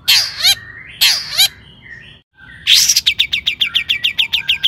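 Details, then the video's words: Long-tailed shrike singing as a lure for other shrikes: two hoarse, rasping bursts a second apart, a short pause, then a rapid series of bright, clipped chips repeated several times per second. "Kicau cendet gacor AMPUH EMOSI TINGGI, pancingan CENDET AGAR BUNYI"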